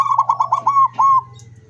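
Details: Zebra dove singing with open beak, recorded 24 September 2023: a rapid run of about six staccato, pulsing coos at a steady mid pitch, then one longer held coo and a fading low hum.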